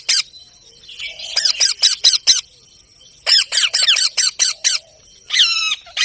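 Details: Parrot chattering in fast runs of sharp, downward-slurred chirps, each burst of six to eight notes, ending on a longer, harmonic rising squeal.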